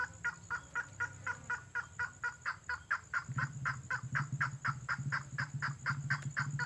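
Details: Red-headed lovebird lure call used to draw birds in: a rapid series of clipped, even chirps about twice per second, with a low rumbling hum swelling in the background halfway through.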